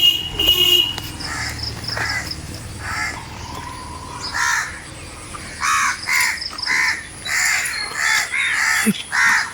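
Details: Several crows in a tree, come to feed on ripe mangoes, give their natural calls. Harsh, hoarse caws burst out in irregular runs, growing more frequent and louder toward the end, with one brief faint thin whistle early on.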